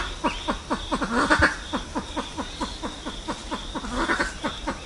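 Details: Silver pheasant calling to gather its flock: a fast run of short, low, downward-sweeping clucks, about four or five each second, steady throughout with faint background hiss.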